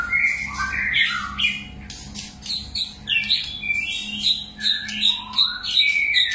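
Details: Many-voiced song of a White-rumped shama: a quick run of sweet whistled notes and fluty slurs in short, shifting phrases, with a faint low hum underneath.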